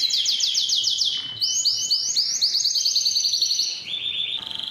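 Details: Strong canary song aimed at motivating males and teaching chicks: fast chains of swooping whistled notes, repeated rising syllables, then a lower rolling trill near the end.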